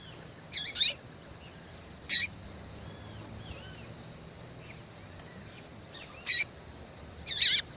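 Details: Female Yellow-bellied seedeater calling to rouse males: high, sharp chips, some doubled, spread across nearly eight seconds. Faint looping whistles of other birds fill the pauses.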